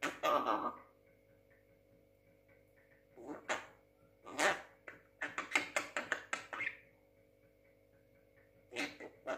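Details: Six-month-old young Javan myna that imitates speech: a harsh opening burst, then clustered raspy, chattering syllables around the middle and a final pair of scratchy notes, separated by quiet gaps indoors.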